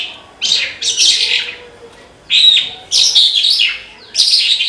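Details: Horsfield's bush lark (branjangan) singing persistently in the 'gacor' style: bright, scratchy high-pitched bursts with rapid chattering notes, separated by short pauses, four phrases in under five seconds.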